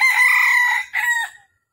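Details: Red junglefowl crowing on a December 13, 2021 morning at a trapping site in Vietnam where a wild rooster came to fight twice. One loud harsh crow with a long first part and a short, clipped ending.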